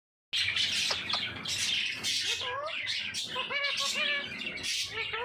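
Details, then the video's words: Talking parrot mimicking speech indoors: harsh squawks and noisy bursts mixed with short wavering tonal syllables and rising-falling voice-like inflections, continuous and fairly loud throughout. "Parrot Talk Everything"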